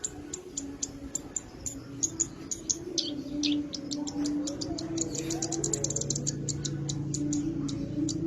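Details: Javan bush lark in energetic song: a fast stream of sharp, very high ticking notes, loose at first and then packed into rapid bursts, over a steady low hum.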